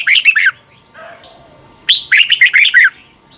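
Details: Red-whiskered bulbul, a Thai recording of the slow doubled song for young birds to learn. A brief sharp phrase, softer low warbles and whistles in the pause, then a longer, rich, rolling phrase.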